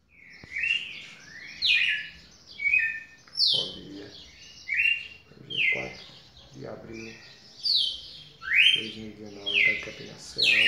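A red-cowled cardinal sings bright, slurred whistled phrases, repeated roughly every second.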